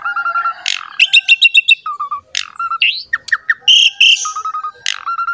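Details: Asian pied starling in a champion-grade singing form, a song used as a lure to get other starlings and songbirds singing: rich, varied phrases of harsh buzzy notes, rapid clicking trills and clear whistled notes repeated in short runs.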